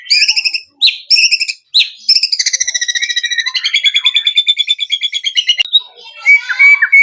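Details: Male white-rumped shama song: short sharp notes, then a long rapid trill of repeated notes, ending in clear rising whistles after a brief pause.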